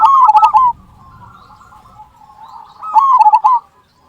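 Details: Zebra dove song meant as a lure for other perkutut: two short bursts of fast, rolling cooing notes with a quieter trilled murmur between them and light low background noise.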